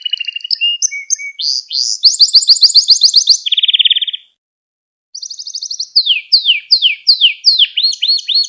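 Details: Gloster canary singing to stimulate and train young canaries: bright, clean song of rapid repeated trills and buzzy rolled phrases, shifting between high and lower tours, with a brief pause midway before fast descending notes resume.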